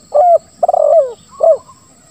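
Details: Spotted dove, 'lambung kuk 1, suara ngeruk' song used as a lure for reluctant doves: a clear coo, then a long stuttering, rattling note that drops in pitch, then a short falling coo, all mellow and low.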